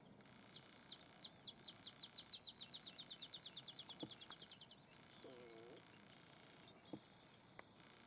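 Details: Olive sparrow singing at Laguna Atascosa National Wildlife Refuge, Los Fresnos, Texas, on 30 May 2015: a long series of about thirty sharp, high, down-slurred chips that speed up into a rapid trill. A steady shrill whine runs throughout, with a brief lower nasal call afterwards.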